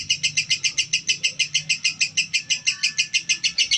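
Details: Calm female lovebird calling with bright, clipped, high-pitched chirps in an even pulse of roughly three per second, set over a faint low hum.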